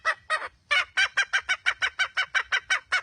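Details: A red junglefowl hen calls with two spaced, rasping clucks, a short gap, then a brisk chain of harsh, clipped notes delivered roughly every quarter second, strong and near.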